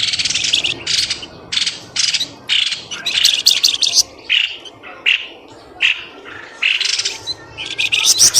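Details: Bird lure calls used to draw birds from dense bushes: rapid, rasping squawks and chirps tumbling one after another, mostly short and uneven, with a few sharper high notes toward the end.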